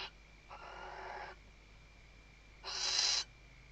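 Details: Female Western barn owl calling the male while stuffing the nest, recorded by nest webcam at Riet Vell Nature Reserve, Ebro Delta, Tarragona, Spain, 2023 season: two harsh, hissing screeches, the second louder, over a faint steady electronic tone.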